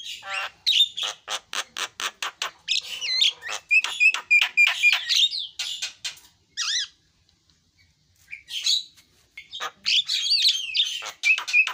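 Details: Javan myna song: rapid, dry ticking clicks giving way to squeaky, scratchy warbles and chattering, broken by a short pause, then a renewed burst of varied squeals and whistles.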